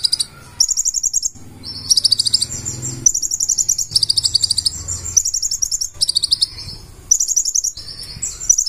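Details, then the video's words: Lively 'gacor' song of a purple-throated sunbird with 'isian' inserted phrases: a near-continuous stream of very high rattling trills and sliding notes, with a low murmur underneath during the middle seconds. "KONIN GACOR FULL ISIAN"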